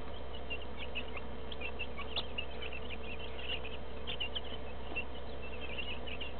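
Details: Two-week-old broiler chicks kept with some laying hens: a dense flock chorus of high, short peeping chirps overlapping almost continuously, over a steady low droning hum of machinery.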